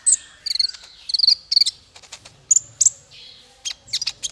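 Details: Male konin, or kolibri ninja, in song for tutoring songbirds: clusters of high, thin chirps and buzzy bursts, quick stuttered notes then pauses, a few longer sliding whistles near the end.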